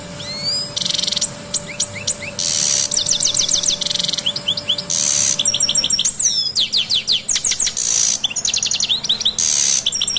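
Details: European goldfinch song: a rapid, tinkling run of high twittering notes, steep upslurs and downslurs mixed with bursts of buzzy, harsh rasps, nearly continuous for ten seconds; faint steady hum beneath.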